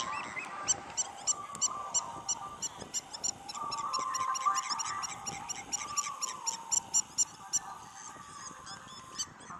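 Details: Spur-winged lapwing at a beach resort in Marsa Alam, Egypt: fast runs of short, high, ringing notes, overlapping calls in quick succession, with a wavering mid-pitched tone and background beach noise.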